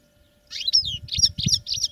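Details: Short burst of caged European goldfinch song, recorded during training: quick, liquid, slurred high notes tumbling over each other after a moment of silence, with faint low rumbling beneath.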